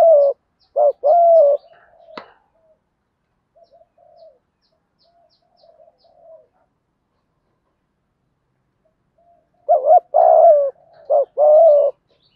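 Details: Spotted dove coo for stimulating captive doves: bursts of short and long low coos at the start and end, a loud click near two seconds, with a long near-silent gap of soft murmurs between.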